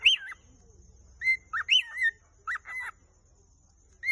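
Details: Whistled love song of a Vogelkop superb bird-of-paradise, Arfak mountains, West Papua. Looping, upslurred whistles come singly or in pairs with short gaps, over a quiet low background hum.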